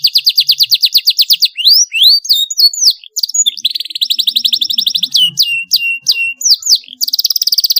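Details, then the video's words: Song of a canary, played so young birds learn to sing: fast pulsed trills alternate with upward and downward whistled sweeps, a long buzzy rolling trill in the middle and another at the close. "CUIT CUIT PALING AMPUH MERANGSANG BUNYI PAUD BELAJAR BUNYI"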